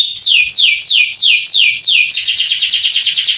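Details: Canary master song to excite young canaries: several drawn-out downward whistles about a third of a second apart, then a fast dense rolling trill.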